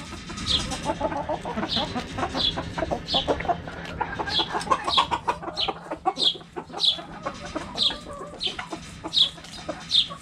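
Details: Backyard chickens clucking during cabbage play: quick soft clucks mixed with bright high chirps recurring about every second, many birds at once, with a low background hum.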